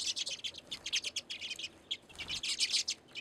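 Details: Several redpolls call at a backyard seed feeder in Anchorage, Alaska, during February. Short, sharp, high chips and buzzy zaps tumble irregularly, thickening into a dense rattle toward the end.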